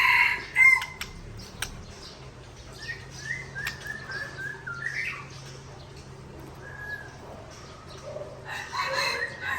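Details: White-rumped shama of the Aceh Tangse type singing against a rival: a loud sharp opening, then scattered short whistles and slurred notes, and a buzzy burst at the end.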